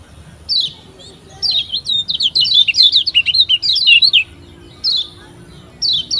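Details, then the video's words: White-eye from Lombok known locally as kecial kuning, heard in a lure song for getting beginner birds to sing fast: one sharp chip, a long rapid chain of high slurred twitters, then two isolated chips. "PANCINGAN Kecial Kuning PEMULA‼️Biar CEPAT GACOR‼️"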